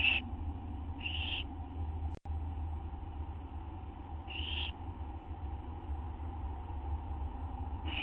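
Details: On a September 6, 2011 night around midnight, an owl at the nest during a food delivery gives brief harsh hisses with gaps of one to three seconds; a low hum runs throughout, with a momentary dropout.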